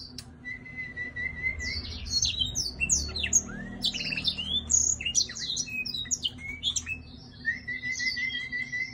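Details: Black-throated laughingthrush singing while dancing, mixing a level whistled note at the start and end with a busy flurry of high squeaky slurs and chips, over mild background hum.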